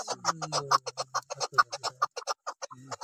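Chukar partridge giving rapid, repeated clucking chuk notes, about two per second, in an uneven run; a low hum underlies the calls.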